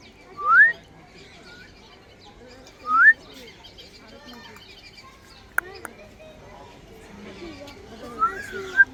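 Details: Grey parrot giving short, clear rising whistles, three separate sweeping notes spaced a few seconds apart, with soft murmuring voices and faint chirps in the background.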